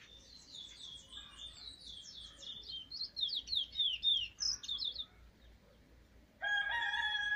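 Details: A young brown chestnut-bellied seed finch (Trini bullfinch), just starting to sing, on 7 November 2019, gives a rapid run of thin, high, downslurred whistles for about five seconds. A louder, nasal harmonic call comes near the end.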